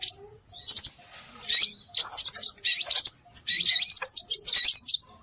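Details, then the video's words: Lure recording of scarlet minivet: high chirping phrases with curling, up-and-down whistled notes, in several bursts roughly every second, busy and overlapping. "Suara Burung Sepah Raja"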